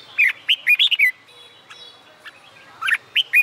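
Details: Red-whiskered bulbul singing during summer daytime, used for training contest singers: quick sequences of rich, slurred whistles rising and falling, a pause, then another short bright phrase.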